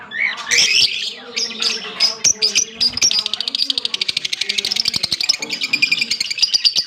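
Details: Green Fischer's lovebird pair, October 16, 2023, chattering in high squeaky notes that speed into a fast, even rattling trill, with low cooing underneath.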